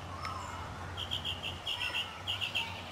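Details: Northern mockingbird singing in spring in a city neighbourhood in South Carolina, 2008: a quick run of repeated high chirped notes, about a dozen in a row, over low steady hum with other birds faintly behind.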